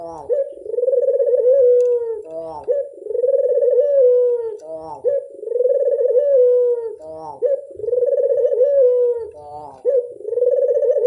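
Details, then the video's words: Dove lure call: loud, low, rolling coos, each a drawn-out mellow note of about two seconds, preceded by short stuttering notes. The phrases repeat steadily with brief pauses between them against a quiet background. "Pancingan burung puter mamtap nembak"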